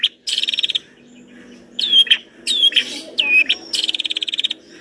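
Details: Vigorously singing long-tailed shrike with varied filler phrases: fast buzzy rattles alternate with slurred, down-curving whistled notes and sharp chips, in uneven bursts over a soft low background hum.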